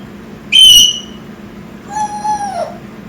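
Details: African grey parrot, a six-month-old pet, giving a loud high piercing whistle, then after a pause a lower, longer whistle that holds steady and drops at the end; quiet room background.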